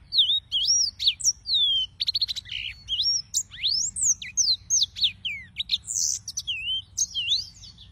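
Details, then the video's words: Continuous lively song of a yellow-fronted canary, high whistled sweeps rising and falling mixed with quick buzzy trills and chips, barely pausing over eight seconds; faint low hum beneath. "Suara Burung - (Serinus Mozambicus) White-tipped Green Singers Singing"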